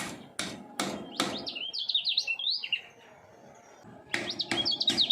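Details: Caged common iora aged three, trained for song competitions, delivering full-speed double-voice song: loud clicks, a run of quick up-and-down whistles, a silent gap, then clicks and whistling resume.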